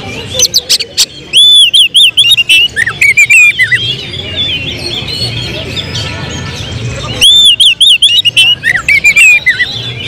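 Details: Oriental magpie-robin kept in a cage and groomed for contests, its excitement breaking into tembakan song: clicks open, then two bursts of loud rippling whistles and wavering high notes with brief quieter gaps between.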